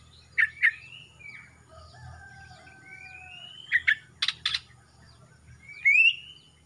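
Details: Young male greater green leafbird from Kalimantan, past its spotted juvenile stage with a blackening throat, singing actively: long clear whistles, some rising and some level, mixed with sharp double chips and harsh bursts.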